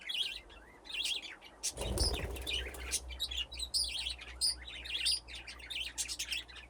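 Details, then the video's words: Budgerigars playing in an aviary with nesting boxes, flock grown from two pairs; steady busy warbling chatter of wavering high chirps from several birds, with a brief flutter of wings early and a low hum beneath. "Budgies playing in the aviary"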